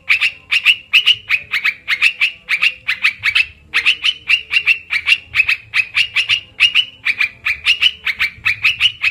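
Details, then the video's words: Lure call of an olive-winged bulbul played to attract birds for trapping: nearly continuous, evenly spaced harsh chattering notes, several per second, with one short break midway and a soft low hum. "suara pikat burung TRUKAN//merbah belukar,karuwang"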